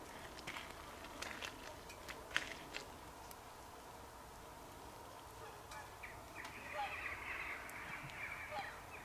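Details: Swans recorded on 24 December 2020, giving a loose run of nasal honking calls that builds into a denser, overlapping chorus in the last few seconds, over steady background noise and scattered clicks.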